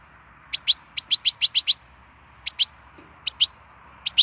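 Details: Wild European goldfinch song made of high, crisp notes, mostly in quick pairs, with one rhythmic run of six evenly spaced notes. Short silences separate the groups against soft background noise.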